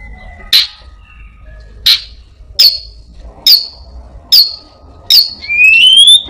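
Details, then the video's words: Orange-headed thrush copying other birds gives sharp, well-spaced chip notes about every second, ending in a rising drawn-out whistle. "burung Anis binbin gacor isian perenjak,kucing,cirtu,dan burung lainya"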